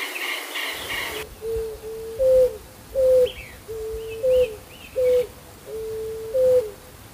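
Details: Low cooing song of a West Peruvian dove: level hooting notes alternating with slightly higher, louder clipped coos, roughly one per second, with a few soft higher twittering notes in the background.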